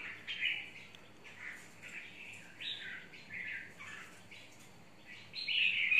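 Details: Red-whiskered bulbul, mộc type, kept in a long cage and said to be highly aggressive toward another bird; a steady string of short, bright chirping warbles with little pause, ending in a louder phrase.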